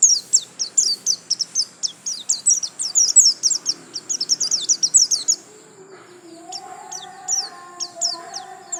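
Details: White-eye (pleci) singing a 'gacor lasroll' style song: fast runs of high, thin, sharply slurred chirps packed in a long unbroken stream for about five seconds, then scattered notes over faint low hum.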